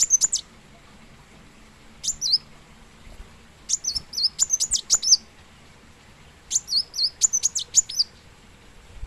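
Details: Plain sunbird, known locally as kolibri muncang or kolibri wulung, singing in bursts of very high, thin, sharp notes with quick downward-hooked twitters, phrases separated by short pauses; faint low hum beneath.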